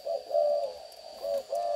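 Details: A captive young spotted dove, just grown its full neck collar and offspring of a breeding pair, tries out its coo: four soft, mellow, slightly uneven hooting notes in under two seconds over a faint steady high whine.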